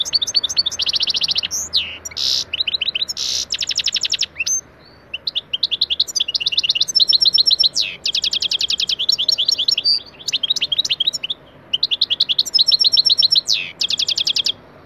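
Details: Goldfinch song used as a teaching recording for caged pet goldfinches: long sequences of bright, rapid twittering phrases with rattling trills, separated by short silences.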